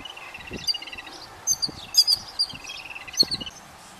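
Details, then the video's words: Yellow-billed babblers with chicks at feeding: loud rattled chatter leading into piercing high squeals in quick clusters, several calls per second, then a final shrill burst near the end. "Babblers feed their chicks | Yellow Billed Babblers and chicks"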